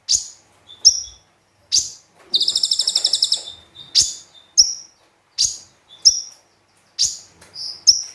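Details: Javan white-eye singing energetically in 'tembakan' style mixed with sparrow and cililin phrases, recorded as training material: repeated sharp high chirps with one long rapid buzzy trill in the middle and quiet gaps between notes.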